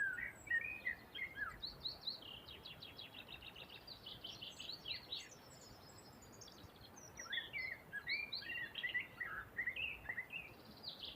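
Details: Birdsong at a riverside: busy sequences of sharp, high chirps and short trills, one lower warbled phrase at the start, with bursts every second or so over a constant watery rush.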